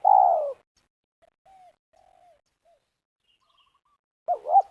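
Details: Spotted dove used for luring at a ground snare site in West Lampung, Indonesia. A long falling coo is followed by a few soft, faint coos. The two short looped opening notes of a new phrase close the recording.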